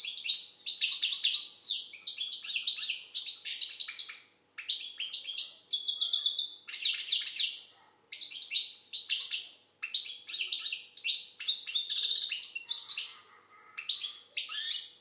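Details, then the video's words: European goldfinch from Algeria in sustained song, rapid tinkling twitters and buzzy rattling trills in bursts of one to two seconds, separated by brief silences; no other sounds. "Chardonneret algérienحسون. مقنين"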